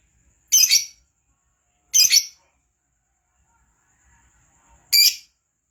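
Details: Lovebird, kept to sing keenly, producing three harsh, split high squawks spaced irregularly, with a faint thin steady whistle and soft scraping in the gaps.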